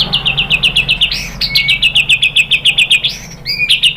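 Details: White-rumped shama lure song: a rapid steady trill of clipped high notes, about four a second, twice interrupted by a rising buzzy sweep before the trill carries on.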